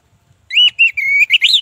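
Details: Orange-headed thrush song used as a lure for silent birds: loud clear whistled phrases, a sustained note followed by a level drawn-out whistle and rising warbled notes, with faint low rumbling beneath.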